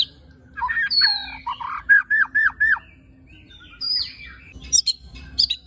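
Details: Murai batu, the white-rumped shama, delivering a harsh-filler 'tembakan' phrase meant to stir other shamas: rich mid-pitched warbles, four arched repeated notes, a quiet gap, then sharp high clicks and whistles.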